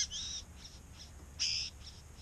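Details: Wild male Satin Bowerbird in eastern Australia, calling near his decorated dance arena when a female is around, recorded by a hidden GoPro in bushes: short high, slightly buzzy whistled notes, with one louder drawn-out whistle midway.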